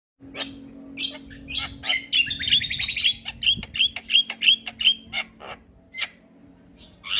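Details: Javan myna singing in a training recording meant to set other mynas singing: rapid harsh clicks and rasps mixed with short bright whistles, about three notes a second, with a steady low hum underneath.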